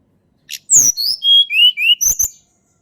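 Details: Blood-breasted flowerpecker in a natural recording used to prompt quiet birds to sing: a quick run of thin, high whistles slurring downward step by step, ending in a few sharp chirps, in a clean, quiet background.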